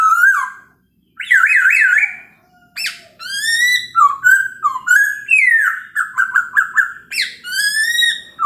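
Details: Chinese hwamei singing in the morning, used to provoke other birds into answering: loud, rich whistled phrases, some wavering and trilled, others sliding down from high notes, with short pauses between bursts.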